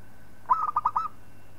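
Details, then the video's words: Local zebra dove singing, used as a tutor song for training other birds: a single short cooing phrase of about five quick, rolling, slightly wavering notes, with a faint steady hum behind. "Suara Perkutut Lokal Palng Zos Untuk Masteran"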